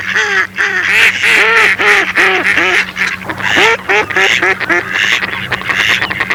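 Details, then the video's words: Mallard ducks calling together: a dense, busy chorus of harsh, nasal quacks, several each second and overlapping, with brief pauses between bursts and a steady low hum underneath. "YEŞİLBAŞ ÖRDEK SESLERİ - MALLARD DUCK SOUNDS"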